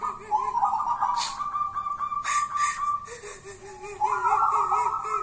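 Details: Local wild zebra dove known as 'kuntilanak' keeps up continuous vibrating, trilled cooing with a lower wavering undertone, plus occasional sharp clicks.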